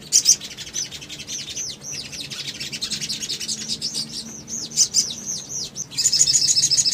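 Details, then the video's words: Little spiderhunter, a male said to be calling a female, played as a lure to make other birds respond. High, thin chirps are repeated rapidly in long runs with short pauses, ending in a fast ticking series. "PANCINGAN CEPAT MACET BUNYI SOGON BAHAN IJOAN"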